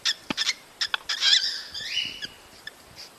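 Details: Cockatiels calling to stimulate mating and breeding: short chirps, then a longer rising and falling whistled call with harmonics near 1.5 seconds, followed by sparse soft clicks and chirps.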